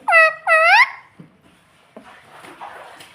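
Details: Pet parrot imitating "mummy" and "papa" in a small room: two loud, rich two-part syllables, the pitch dipping then rising, spoken back to back, then a few soft knocks and faint rustling.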